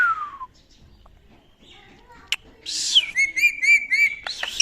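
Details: Pet talking ring-necked parakeet mimicking: a falling whistle, then a quiet pause, a snap, a burst of harsh noise, and a steady whistled note broken into rapid wavering pulses. The piece closes with sharp clicks.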